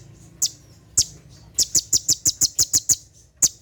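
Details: At night, a brown-throated sunbird delivers 'tembakan' song: two isolated piercing ticks, then a fast, even series of about nine sharp, high chips, closing with one final tick.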